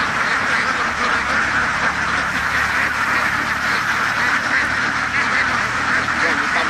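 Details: Ducks on a farm call together in a dense, even chorus of raspy quacks that runs on without a break.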